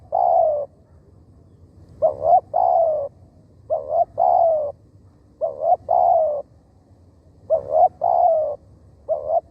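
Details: A spotted dove used to lure wild doves calls steadily. Low mellow phrases of two quick coos and a long falling croo repeat about every two seconds, with little else audible.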